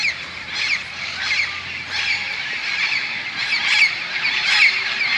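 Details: Tens of parrots crowding huge bamboo next to a golf course at Moka, Trinidad, settling for the night; dense raucous squawking with louder harsh bursts near the end over a continuous flock din.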